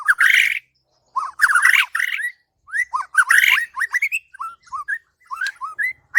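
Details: White-rumped shama, murai batu, master song for training birds: loud harsh buzzy bursts followed by a series of short rising whistled notes, each repeated about every quarter second.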